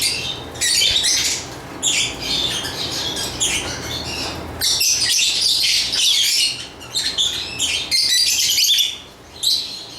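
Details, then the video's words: Lovebird producing bursts of scratchy, high twittering and sharp chirps, with several overlapping bouts and short quiet breaks, ending with a dip then one more chirp. "Lovebird Chirping Sounds"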